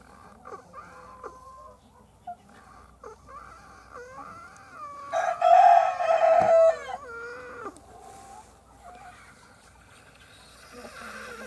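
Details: Hen calling while laying an egg. Scattered soft clucks build to a loud, drawn-out, harmonic cackle near the middle, then fade back to sparse clucking against a quiet background.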